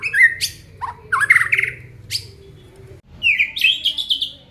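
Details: Aceh white-rumped shama in full song, showing its isian fill-ins: loud rising whistles, a buzzy chattering phrase, then a fast, bright, warbling run that climbs and jumps in pitch.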